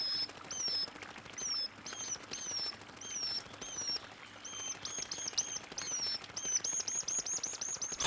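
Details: A brown dipper chick beside its parent at a Korean river clamours for food with thin, very high, slurred squeaks, two or three a second, over the steady rush of running water; the parent feeds it caddisfly larvae.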